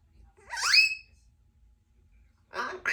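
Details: Pet Congo African grey parrot (Psittacus erithacus), a 2-year-old female, chatting while her owner gets lunch: a bright rising whistle, then after a pause a short burst of speech-like chatter.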